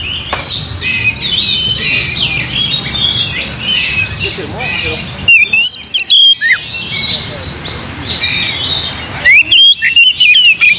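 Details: Oriental magpie-robin song for provoking singing. It opens with a dense, noisy mass of chirps, then clean, loud whistled phrases with sharp upward and downward sweeps, repeated in short bursts.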